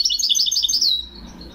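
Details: Brief phrase of European goldfinch song in the Moroccan Wedani style, 2021: about one second of quick, sparkling high twitters ending in a slurred note, then quiet.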